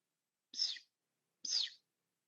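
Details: Buff-bellied (American) Pipit on Linosa, a small volcanic island off Sicily, gives two thin, high, slightly buzzy calls about a second apart, described as between a sparrow and a wagtail, with no other sounds.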